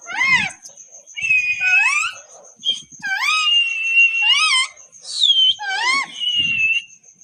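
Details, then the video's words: Pet parrot talking nonstop to itself, a series of loud, rising and falling whistled vocal phrases with buzzy, word-like contours, each one to two seconds long, separated by brief pauses, with a steady high electronic tone underneath. "Nonstop Bolta parrot"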